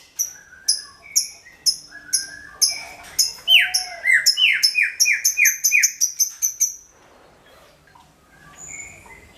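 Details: Greater green leafbird singing loudly, a lure for all kinds of birds: steady high chip notes repeated, then a quick run of downslurred whistles and rapid chips, trailing off into quiet near the end.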